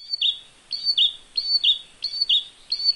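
An olive-backed tailorbird sings a loud, high two-note phrase, a sharp upper note dropping to a longer lower one, repeated about every 0.6 seconds.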